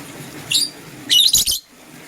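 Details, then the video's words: Two bursts of high, squeaky chirping from green and blue lovebirds in the morning, the second longer and rougher, followed by quiet. "Green LoveBird Chirping Sound"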